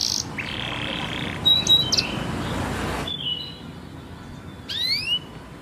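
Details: Canary song for training young birds, quieter and patchy: short buzzy bursts and a thin whistled note, a pause, then a few sharp rising slurred whistles over a faint noisy background.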